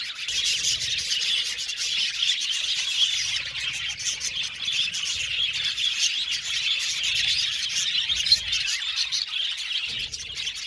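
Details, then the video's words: Colony of Australian budgies in an aviary, chattering steadily for about ten seconds: a thick wash of high, scratchy twittering and chirps from many birds, fairly even in loudness throughout. "Budgies Chirping sound"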